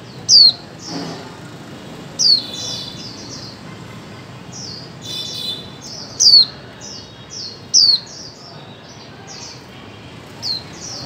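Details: Female white-eye calling so that silent birds will start singing: loud thin notes that slide downward, given in uneven bursts, with a scatter of quieter high chirps around them.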